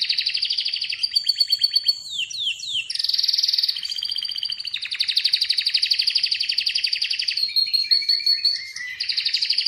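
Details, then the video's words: Atlantic canary in full song, rapid rattling trills alternating with swooping downslurred notes, bright sustained tones and softer low notes, the phrases running together in a continuous, varied stream. "Atlantic Canary sings in an amazing voice"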